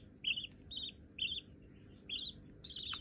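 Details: Baby budgerigars, reportedly both white and already hand-tame, give clipped buzzy chirps about once a second, the last one longer and rougher, above faint indoor background noise.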